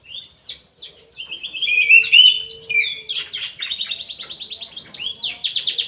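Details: Aviary orange-headed thrush in vigorous song: varied slurred whistles build into a loud warble, then give way to a fast series of buzzy repeated notes, roughly four per second, with high chattering at the end.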